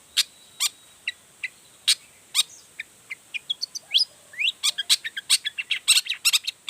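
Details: Long-tailed shrike singing to provoke rival shrikes into calling back: spaced sharp high clicks at first, then a quickening sequence of varied chirps and a rising whistle, ending in a busy burst of notes.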